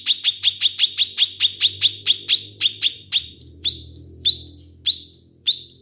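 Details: Master and lure recording of a kinoi bird. Steady series of loud, clipped chirps, roughly three per second, shifting midway into higher upswept whistled notes. A faint low hum lies underneath.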